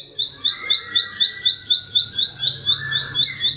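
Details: Plain prinia, locally called ciblek sawah, used as a training song for cage birds: high, sharp chirped notes repeated about four times a second in an even series over a softer, lower buzzing hum.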